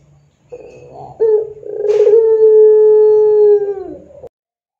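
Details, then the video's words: Puter pelung dove lure recording for training doves: softer broken notes first, then a loud drawn-out coo held steadily for about three seconds, with a brief hissy burst early in the long note. "SUARA PANCINGAN PUTER PELUNG GACOR"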